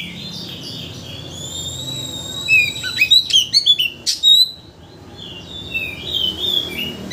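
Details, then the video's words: Lure song of an Oriental magpie-robin meant to provoke a full repertoire; sustained high whistles, then a burst of rapid clipped notes around the middle, followed by softer warbling. "Pancingan Kacer Untuk Menaikkan Emosi Agar Mau Bongkar Isian"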